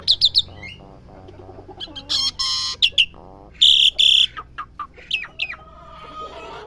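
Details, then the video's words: Asian pied starling at home, learning sounds: a fast burst of clipped notes, then loud grating squawks, a pair of long bright whistles and scattered sharp chips fading out. "jalak suren rumahan belajar bunyi"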